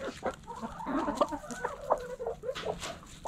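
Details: Hens in a backyard coop giving a dense, busy stream of overlapping clucks and short nasal calls, several birds at once, with quick sharp notes popping out near the start, middle and end.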